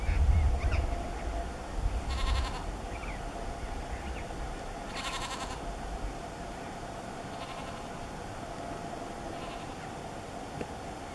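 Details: A pair of Andean burrowing parrots (Cyanoliseus patagonus andinus) preening at dusk near Cachi, Salta, Argentina, on 4 July 2019: two loud, harsh, grating screeches about three seconds apart, then fainter rasping calls over low wind rumble.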